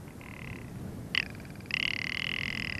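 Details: A male Rock Ptarmigan gives its excited spring mating and territorial call in the high Alps of Hohe Tauern, Austria. The call means females are welcome and males must keep out. It is a dry, croaking rattle: a short nasal note, a sharp burst, then fast pulsing croaks over a faint rumble.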